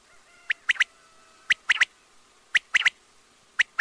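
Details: Quail calling in clear, sharp triplets of short, high notes, each group lasting about a third of a second and repeated roughly once a second, over a faint steady hum.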